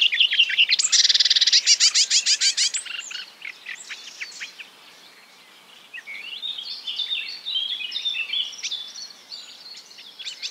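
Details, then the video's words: Marsh warbler imitating other birds: a loud, dense buzzing rattle opens, followed by scattered chirps and a softer, fainter warbled twittering toward the end. "A marsh warbler (Acrocephalus palustris) imitating other birds"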